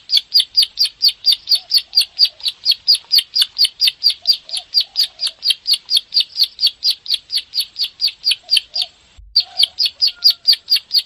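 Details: Bar-winged prinia in dense 'klik' song meant to make caged birds sing; fast, even high chirps about four per second, briefly interrupted near the end before resuming; faint low notes of another bird now and then.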